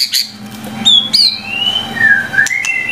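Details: Murai batu, the white-rumped shama, gives a short tutoring phrase: quick high chirps, then a long sliding whistle that falls and rises again.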